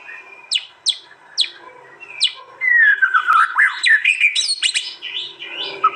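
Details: East Java white-rumped shama at a song contest, phone-recorded for a compiled master. Several spaced sharp upward-flicked notes, then a long descending slurred whistle breaking into varied loud warbled and chipping phrases.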